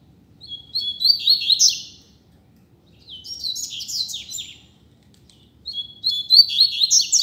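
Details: A free double-collared seedeater singing in the street as a teaching model: three clean phrases of fast, high, downward-sweeping chirps about two seconds apart, each building to a louder, busier end, in near silence.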